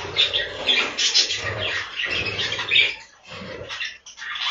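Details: A breeding room full of budgerigars: a crowd of raspy chirps and squeaky warbles overlapping, briefly dropping quieter near the end before the chatter resumes, over a faint low hum.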